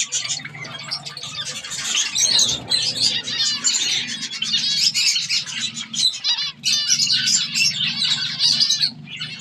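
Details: Several zebra finches, including babies learning to feed themselves, chatter almost nonstop with overlapping high, nasal chirps and squeaky notes over a steady low hum.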